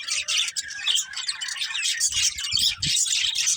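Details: Busy high-pitched budgie chatter, rapid chirps and warbles running together, with some low thumps in the second half.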